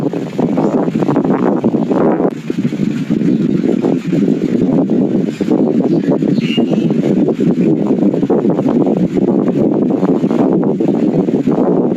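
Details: Steady rumbling wind and engine-like noise fills the recording with no clear animal voice.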